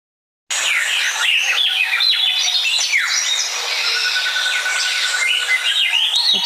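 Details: Breeding-season song of a Swainson's Thrush in Nevada: swirling, high, flute-like phrases spiralling upward, sung loudly and steadily to broadcast, unlike its quiet night flight calls, with other bird calls overlapping behind.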